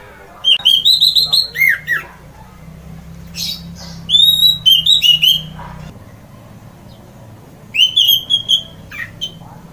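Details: Loud ngeplong song of an orange-headed thrush, claimed to excite other birds into singing: three bursts of rich, slurred whistles, rising and falling notes strung quickly together, separated by short pauses over a low hum.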